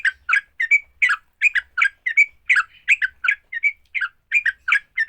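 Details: Sooty-headed bulbul fighting song, intended to stir rival bulbuls to sing: steady chattering pairs and triplets of slurred chirps with occasional drawn-out whistled notes, no other sounds.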